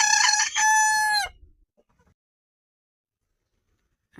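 A rooster crows once, a loud harsh cock-a-doodle-doo about a second long with a drawn-out final note, then near silence.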